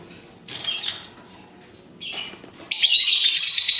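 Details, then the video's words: Colourful pet lovebird in ngekek chattering song: two soft raspy bursts, then from mid-clip a loud, dense, unbroken high-pitched buzzing chatter that runs to the end. "Burung Lovebird Rupa Rupa Warnanya, Burung Paruh Bengkok, Bunyi Ngekek Gacor"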